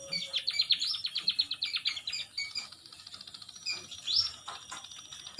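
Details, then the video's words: Munia giving a rapid series of short, high chirps, about two per second at first, then softer scattered notes and a single upswept note near the end. "Kicauan Burung emprit original"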